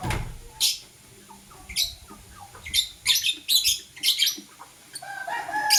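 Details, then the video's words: Blue and green lovebirds in the morning: loud, piercing chirps repeated in quick bursts, several close together mid-way, with softer squeaky notes between them. "True Love Blue LoveBird - Green LoveBird Chirping Sound"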